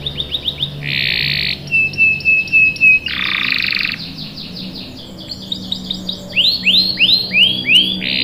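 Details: Lure recording of a canary singing: short repeated chips, thick buzzy blocks of sound and a thin steady whistle, ending in a run of rising, curling notes repeated in quick succession.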